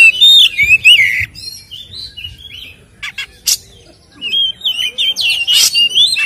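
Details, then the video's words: White-rumped shama, a lively singer in full fighting-style song used as a lure to provoke other kept birds: rich whistled phrases sliding up and down, interspersed with sharp rattling bursts and high buzzy notes in quick, varied succession. "SUARA BURUNG Kacer gacor isian NGEPLONG TARUNG ini paling AMPUH buat PANCINGAN KACER agar EMOSI"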